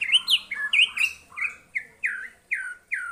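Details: White-rumped shama answering a lure recording with loud, clear whistled notes, each sliding downward, delivered in a quick, slightly irregular run of about nine phrases.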